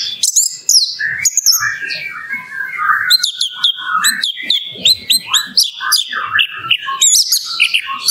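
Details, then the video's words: Orange-headed thrush singing in full voice in the morning, used to prompt other birds to sing: a rich, rapid stream of varied whistles, trills and chattering phrases, switching pitch constantly with barely a pause. "ANIS MERAH PLONG PAGI"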